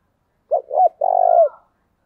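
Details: Early-morning Spotted dove lure call: two quick rounded coos running into a longer, slightly pulsed, level coo that falls away at the end.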